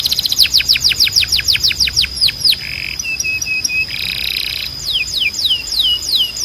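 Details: Canary training song for young and male canaries: a series of rapid down-slurred notes, then steady flat whistled notes, a buzzy band, and more falling sweeps, over a sustained high tone.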